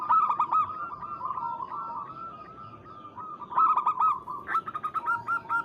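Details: Local zebra dove calling a rival, giving a drawn-out, wavering coo on a steady mid pitch between brief clusters of quick clipped notes, with a faint background hiss.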